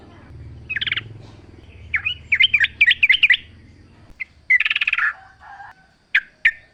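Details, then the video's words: Outdoor recording of a wild sooty-headed bulbul used as a lure, with a jumbled series of quick, warbling, wavering notes, a burst of rapid trills, then two sharp chirps. "trucuk gacor full suara alam"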